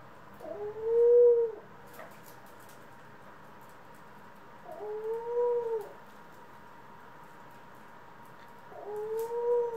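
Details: Among pet ringneck, Senegal and hybrid doves, April 25, 2021, a dove gives three soft, level, mellow coos, each about a second long and spaced roughly four seconds apart, with faint clicks in between.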